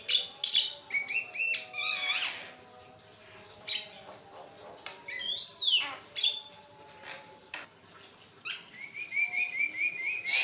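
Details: Javan myna singing without pause, used as a master recording to coax other mynas into singing: varied harsh chatter, rattling bursts, a rising-falling whistle and a quick run of warbled notes near the end.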